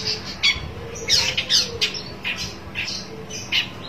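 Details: Long-tailed shrike looking for a rival, giving scattered rasping, chattering notes in short bursts separated by brief pauses, over a faint low hum.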